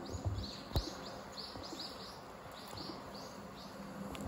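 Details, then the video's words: Common kingfisher on the Zenpukuji River, Suginami, Tokyo, recorded by smartphone: faint high piping notes repeated about twice a second, over a constant hiss and a click. "善福寺川 カワセミ"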